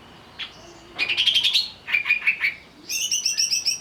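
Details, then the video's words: Agitated greater green leafbird, provoked to sing, delivering rapid bursts of bright, buzzy chattering notes in quick trills, with a short pause before a final high, pulsing run. "pancingan burung cucak ijo agar bunyi sambil emosi"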